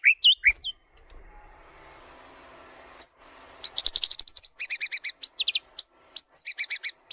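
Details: Lure song of a white-rumped shama for training birds: brief rising chirps, a pause with a soft hiss, then a rapid run of high repeated notes and sharp upswept whistles.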